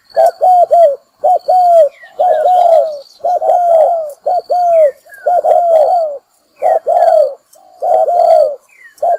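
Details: Decoy call of a spotted dove used to draw wild birds into traps: low hollow coos in quick clusters, each ending in a drawn-out downward slur, nearly continuous throughout, with faint higher chirps and a steady whistle behind.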